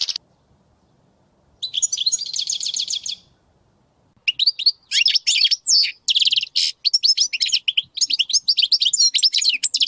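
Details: Caged European goldfinch, major type, in song: after a quiet start, a rapid buzzy trill, a short gap, then an energetic run of liquid twitters, chirps and sharp notes repeated in quick bursts.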